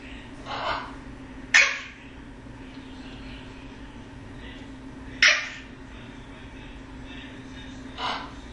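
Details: A male Eclectus parrot (Eclectus roratus), a foster bird known for funny noises, gives four harsh, raspy bursts spaced irregularly a few seconds apart over a steady low indoor hum.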